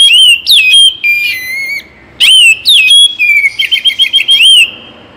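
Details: Oriental magpie-robin (kacer) singing, used mornings and evenings to encourage other birds to sing: clear whistled notes with sharp upward sweeps, long held tones and a fast warbling run of repeated notes, loud and clean.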